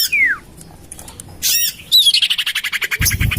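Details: Common iora lure call, used to attract birds and tested in a garden next to a house: a descending whistled slur, then harsh rasping squawks and a fast buzzy chatter.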